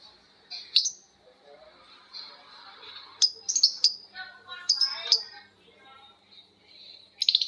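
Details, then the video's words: Lovebirds answering each other with long ngekek chatter: irregular shrill squawks and busy clustered chattering notes, loudest near the middle and end. "Suara Lovebird ngekek panjang❗Suara bikin Lovebird Betmen vs vio vs paskun saling bersautan."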